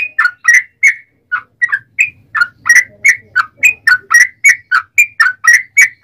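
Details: Yellow-vented bulbul in full, long rapid 'ropel panjang' song, used as a lure to make other bulbuls sing back: bubbly, liquid whistled notes dipping and rising, delivered in a steady fast string with brief gaps, faint low hum underneath.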